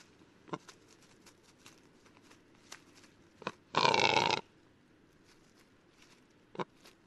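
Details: A Western capercaillie in Lithuania gives scattered dry clicks at an uneven pace, broken by one loud, harsh, rasping burst lasting about half a second.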